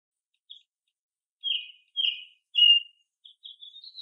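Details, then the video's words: Foraging American robin, one of a mixed-age group singing with other birds, gives a faint lead note, then three rich whistled phrases in quick succession, followed by short rising chirps. "American Robin - Bird Song and Call"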